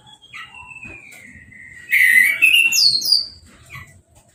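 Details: After its moult and a hose-spray bath, an uncovered caged orange-headed thrush gives a long soft falling whistle, then a loud jumbled run of squeaky, rising and falling whistled notes with high thin accents.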